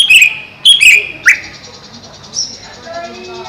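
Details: Greater green leafbird kept caged above a pond, giving loud, bright whistled and slurred notes, including a sharp upward sweep, then a softer high whistle. Faint warbling is heard in the background.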